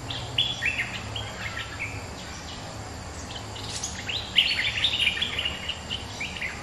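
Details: Resident bulbul calling excitedly in answer to a rival at a lure recording: a quick run of short chirped and warbled notes between mid and high pitch, busiest near the end, over steady low rural background hum and insect-like hiss.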